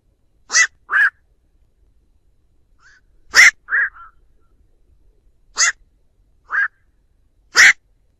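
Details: Flock-gathering calls of a black-crowned night heron, used as a trapping lure with no background noise: abrupt, raspy single barks alternating with duller mid-pitched croaks, spaced irregularly across the recording.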